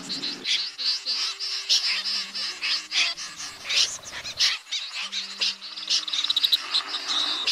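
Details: Snipe flock calls meant to draw birds into night nets, August 2024, from two speakers: many scratchy, high-pitched calls overlapping in uneven bursts, with a brief rapid trill near the end and a low hum.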